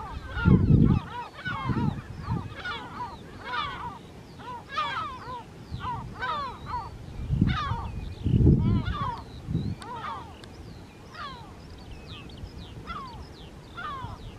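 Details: Lesser black-backed gull pair beside the breeding colony on Rottumerplaat, Netherlands, early June 2023: series of harsh, laughing, down-slurred calls in bursts, fading toward the end, over gusts of low wind rumble.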